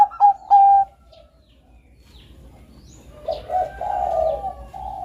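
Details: Bangkok-type zebra dove in melodious song, used to stimulate and train other doves: two loud clear coo notes open, then after a pause softer, lower rolling coos continue to the end.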